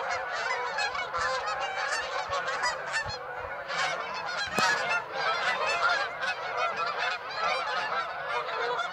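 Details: Massed honking of Canada geese at Birds Hill on 26 September, with loud, overlapping nasal calls from many birds and a short sharp click midway through the continuous flock noise.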